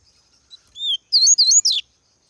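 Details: A pet Double-collared Seedeater in cold weather, starting to sing as the breeding season approaches, gives a brief, high song phrase of about one second: a few thin rising whistles, then a quick burst of sharp, slurred notes.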